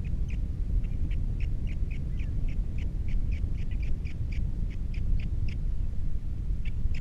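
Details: Osprey at a Captiva nest camera with three chicks, male alone after the female leaves, 21 February 2022: a steady series of short, sharp whistled chirps, about three per second, over a heavy low rumble of wind.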